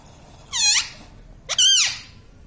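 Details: Pet parrot said to say mummy, papa and radhe, uttering two separate shrill, harmonic syllables: a short falling one, then a longer arched one after a pause.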